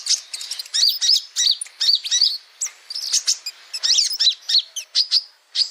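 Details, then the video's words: Male kolibri ninja sunbird singing a tutor song for kept songbirds: a continuous stream of thin, high chirps and quick trilled notes, lively and jerky, with short gaps between bursts. "Masteran Suara Burung Kolibri Ninja Jantan"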